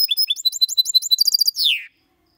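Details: Goldfinch x canary mule in clean song, 2022, Malaga copy style, played to stimulate singing and for youngsters to learn: quick varied chirps become a tight high trill, closing with a drawn-out buzzy note sliding downward.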